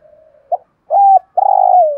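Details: Caged decoy spotted dove singing in the prized 'thổ' voice style, used to provoke wild doves into calling. A brief soft note is followed by two loud, hollow, low coos, the second long and sliding down at the end. The background is quiet.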